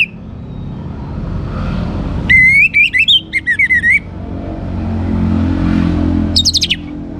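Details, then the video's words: Young orange-headed thrush singing one lively phrase of rippling, wavering whistles lasting under two seconds, later a short high burst, with passing-vehicle rumble in the background. "ANIS MERAH Muda Gacor Untuk Pemancing Burung Berani Berkicau Ngeplong juga Teler"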